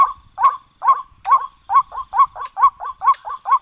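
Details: White-breasted waterhen calling, as played for hunting: evenly spaced, harsh, nasal croaks repeated about twice a second, speeding slightly toward the end, against a quiet background with a faint high hum.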